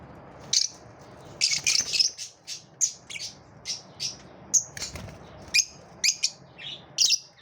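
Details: Competing lovebirds trade piercing, very high chirps and squeaky notes in a busy, uneven run, over a faint low background hum.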